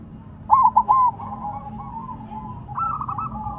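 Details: Zebra dove in silver colouring sings from the ground: a single bright, punchy three-note coo phrase, followed by softer rolling coos from other doves.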